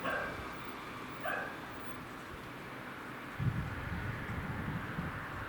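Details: Common cuckoo perched on a utility pole, seen from a garden in Japan in late May 2021 in the late afternoon, about 22–24°C, gives two mellow, low hooting calls about a second apart, then falls silent as a low wind or traffic rumble takes over.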